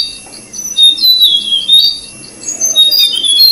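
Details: High, thin begging calls of orange-breasted flycatcher chicks being fed by a parent at the nest, overlapping cheeps and squeaky notes in rapid bursts, over a steady high insect-like hiss.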